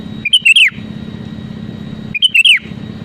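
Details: Two quick, bubbly, whistled phrases, each falling at the end, from a sooty-headed bulbul singing to provoke rivals, over a steady low hum.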